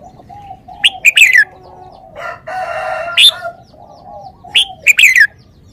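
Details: Red-whiskered bulbul sings two crisp phrases of rapid, slurred, whistled notes that dip toward the end, separated by a drawn-out crowing call from a fowl nearby.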